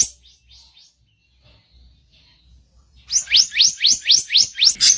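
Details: Masteran training song with harsh chirping: a few faint soft notes and a quiet stretch, then a loud run of eight sharp upward-sweeping chirps delivered about four per second.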